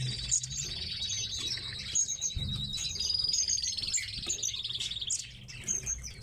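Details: High, rapid chirping and trilling from tits kept in a cage, with a brief low thud midway and light background rustle.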